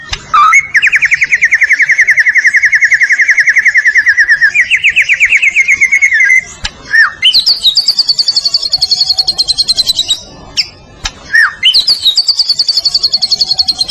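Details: Murai batu, the white-rumped shama of Medan, in gacor masteran training song: a long buzzy trill held for about six seconds, then higher rattling trills broken by brief, sharp downslurred whistles.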